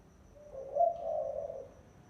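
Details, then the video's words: Brief decoy spotted dove lure coo: a single low phrase that starts with a quiet lead note, rises into a rolling coo and trails off within about a second. "TIẾNG CHIM CU GÁY MỒI CHUẨN"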